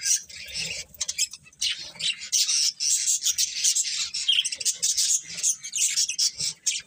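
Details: Budgerigars kept as pets chirping continuously, dense scratchy warbled notes and rapid squawky chatter overlapping without pause, several birds calling together.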